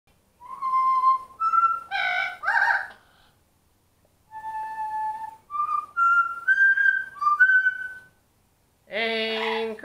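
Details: Pet parrot practising the tune "Anchors Aweigh" with its owner indoors: clear whistled notes held about a second each, stepping up in pitch in two phrases with a pause between, then a brief harsher, buzzier vocal sound at the end.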